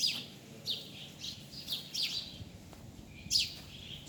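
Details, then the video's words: Birds calling in the open, sparse sharp chirps and downslurred whistles spaced about half a second apart against faint background noise. "Amazing Bird sounds"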